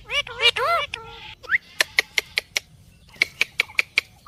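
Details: Parrot giving a few wobbling, warbled notes followed by a run of sharp, evenly spaced clicking chirps, about five per second, then a pause and another clicking run.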